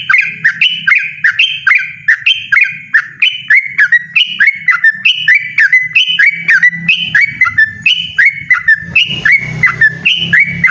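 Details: Loud, persistent ropel song of a yellow-vented bulbul: bright whistled two-part phrases repeated roughly twice a second without pause, each note rising then falling sharply, over a faint low rumble.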